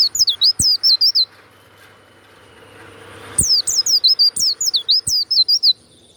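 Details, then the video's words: Warbling white-eye kept as a songbird, giving its loud 'ngeplong' song. Two bursts of fast, very high, looping warbled notes are separated by a quiet pause of about two seconds. A few soft knocks and a faint hum sit underneath. "SUARA PLECI YANG MANTAP"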